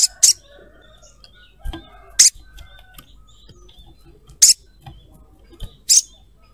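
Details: Crimson sunbird female calling for a male, used to draw other sunbirds; four loud, sharp high chirps roughly every one and a half to two seconds, plus faint clicks.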